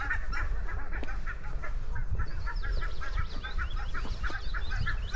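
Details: A flock of geese in open grassland honks steadily, with many nasal calls overlapping several times a second over a low rumble of wind.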